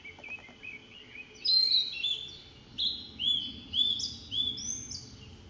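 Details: Blue-and-white flycatcher singing on 24 June 2017: a soft opening followed by a run of clear, high whistled phrases, each short and slurred, coming roughly every second against a faint steady hum.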